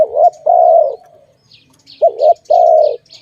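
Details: Dove associated with bird trapping gives a wobbling short note and a drawn-out hollow coo, pauses, then repeats the pair. Thin high twittering of other small birds comes through in the gap.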